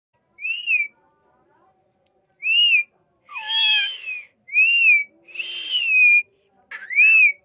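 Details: Parrot giving loud, clear whistled calls, each a short arched note, repeated at irregular intervals of one to two seconds, mixed with a couple of rougher, raspy calls; otherwise quiet background.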